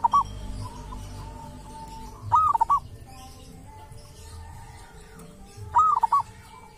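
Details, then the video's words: Local zebra dove from a sacred tomb, a wild bird with its own distinctive voice, giving repeated cooing phrases about every three and a half seconds, each a rising-falling coo and quick stutter, with low hum behind. "perkutut lokal dari MAKAM KERAMAT ‼️punya suara cirihas tersendiri"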